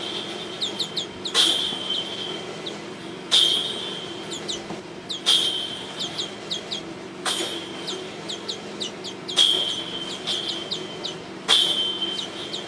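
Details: Flock of Oriental greenfinches feeding on aphid galls on Japanese zelkova leaves, early June 2012, Japan: short high twittering chirps broken about every two seconds by sharp cracking taps of pecking.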